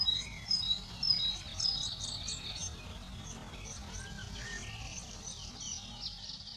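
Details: Eurasian blue tits at a garden nest box, caring for their young: a few thin, high whistled notes early on, then softer faint chirps over a steady low background hiss.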